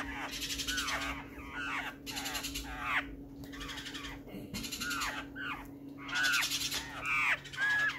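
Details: Black-faced laughingthrush recorded on June 12, 2020. Busy overlapping chatter of raspy, descending notes, with a few clearer whistled slurs near the end. A constant low hum sits in the background.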